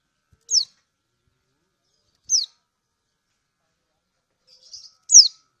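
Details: Lemon-bellied white-eye (kecial kuning) from Lombok, a female calling to a male. Sharp, high, descending 'ciak' chips spaced about two seconds apart, with a soft twitter before the last one. Silent background.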